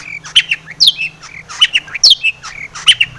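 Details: Long-tailed shrike singing richly with fills, a lure to stir other shrikes: scratchy squawks mixed with sharp high whistles and chirps in irregular clusters, harsh and busy, faint hum behind.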